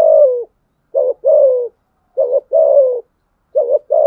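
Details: Spotted dove cooing to challenge rivals: soft, low coos paired as a short note followed by a longer, slightly falling one, the pair repeated about every 1.3 seconds with silence between.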